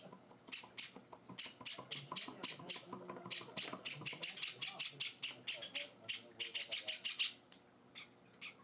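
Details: Java sparrow chicks kept indoors and hand-fed, begging for food: a long run of quick, scratchy high cheeps that speed into a dense burst, then stop abruptly, leaving quiet room sound.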